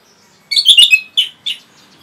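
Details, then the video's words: Orange-headed thrush (Geokichla citrina) giving a quick burst of rich, varied whistled notes, followed by two short separate phrases; clean and high-pitched with no other sounds. "SUARA RAPET ANIS MERAH BIKIN EMOSI BURUNG"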